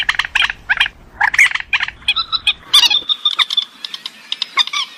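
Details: Purple swamphen, a lowland swamp and reedbed bird, in a lure recording: bursts of harsh, stacked cackling notes, then a sustained nasal tone broken into rapid pulses.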